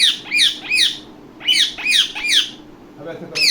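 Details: A pet ringneck (rose-ringed) parakeet gives harsh, shrill screeches in quick groups of three, each sharply rising then falling, with short pauses between groups; the room is otherwise quiet.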